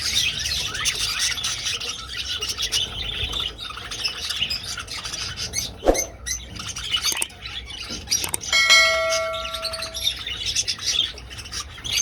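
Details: Budgerigars flying in an old aviary. Busy high twittering from many birds with a few sharp clicks, plus a clear sustained whistle-like tone lasting over a second near the end.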